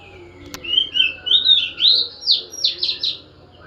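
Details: Oriental magpie-robin, a caged bird after dew-bathing, singing a run of rich whistled phrases rising and falling in pitch, notes sweeping upward one after another, with a sharp click near the start.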